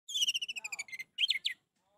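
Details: Orange-headed thrush singing, used to coax a silent bird into song. A quick series of about fifteen evenly repeated sharp notes is followed by a few louder, sweeping, twisting phrases.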